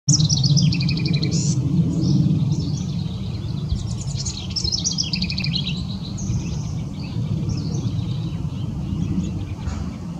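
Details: House wren singing on the Lower Enchanted Mesa Trail, Boulder, Colorado: rapid, bubbly phrases tumbling downward in pitch, repeated several times over a steady low rumble of wind or distant traffic.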